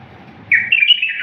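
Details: Short snatch of wild-style bulbul song recorded for teaching bulbuls: a sudden bright whistled phrase rising in steps, cut off after under a second, over a quiet low hum.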